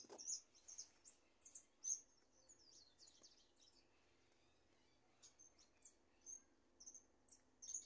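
A goldfinch warming up into song, giving high, thin twittering notes in short scattered bursts with pauses between, over a soft background hiss.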